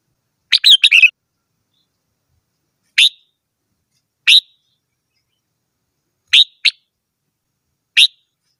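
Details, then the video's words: Red-whiskered bulbul: one quick warbled phrase of several chirps, followed by single sharp whistled notes spaced one to two seconds apart, in a quiet setting. "chim chào mào hót - tiếng chim chào mào hót"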